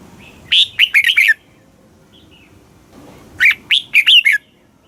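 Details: Red-whiskered bulbul song from Thailand in southern master style, used to stimulate caged birds: two phrases of five chirpy, slurred whistles about three seconds apart.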